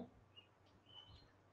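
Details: A domestic chick (Gallus gallus domesticus) gives a few faint, high, thin peeps, one short and one longer and drawn out, over a low murmur of background noise.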